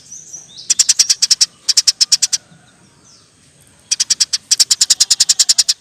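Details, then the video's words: Long, lively chattering of a sparrow, kept for training songbirds. Two fast chirp bursts sit on either side of a pause of about a second and a half. The final run is long and dense. "NYERECETTT PANJANG, KICAU BURUNG GEREJA GACOR"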